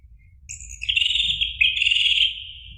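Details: Song of an orange-headed thrush, a recording meant to make a caged bird respond in song: dense, buzzy warbling with high overtones, two overlapping phrases starting near half a second and one and a half seconds.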